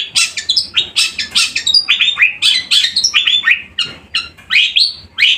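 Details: Long-tailed shrike, a kept bird described as singing loudly and persistently, delivering a dense, fast run of harsh, chattering high notes mixed with short downward-sliding phrases, with barely a pause.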